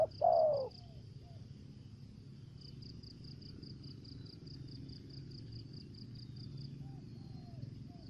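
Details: Spotted dove kept as a lure bird, singing in the 'thổ dế' voice style with 'dập' and 'mai rừng' voices. A loud opening coo is followed by soft, short, arched coos against steady low rumble and a rapid high insect trill.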